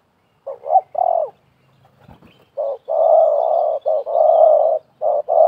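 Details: Spotted doves, one wild and one a trapper's decoy, calling against each other. Low coos in short-long pairs, with a brief rustle between phrases, then steady sustained coos.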